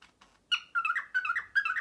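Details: Male cockatiel indoors imitating a printer: faint opening notes, then four regular, machine-like chirping pulses with rich harmonics, each beginning abruptly and fading in a wobble.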